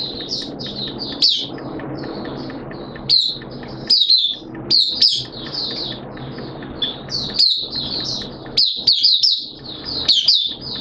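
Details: Oriental white-eye (Mata Puteh) kept as a hobby bird, in 'buka sing' opening song on 11 September 2022 during wet, erratic weather: rapid bursts of high twittering, sharply rising and falling notes broken by short pauses.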